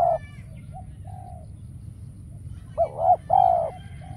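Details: Spotted dove acting as a trapping decoy, calling unanswered; a brief coo, then quiet stretches and a few soft notes before two louder, hollow coos near the end, low steady background noise.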